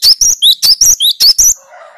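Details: Cinereous tit giving a 'tembakan' challenge song meant to unsettle rival birds: about eight sharp, loud two-part whistled notes in quick succession over one and a half seconds, followed by a fading low, harmonic drawn-out call.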